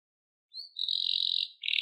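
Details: Wild canary delivering a sustained high, buzzy roll at a steady pitch, then starting a second roll right after.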